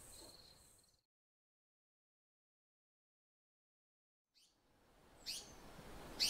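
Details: African paradise flycatcher gives a quick stuttering high trill, then a silent gap and two harsh, rasping scolds about a second apart. The scolds may be a female scolding a Spotted Eagle-owl one evening or a Fork-tailed Drongo.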